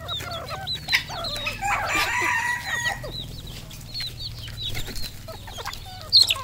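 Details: Red junglefowl on a farm in Cambodia: a flock gives thin hooked peeps throughout, broken by a loud, rough, noisy burst around the middle, with a low steady hum behind.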